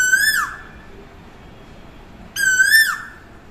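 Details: Asian koel calling close by: two loud, harsh, strongly harmonic notes about two seconds apart. Each holds a level pitch, then drops sharply at its end, over a quiet background.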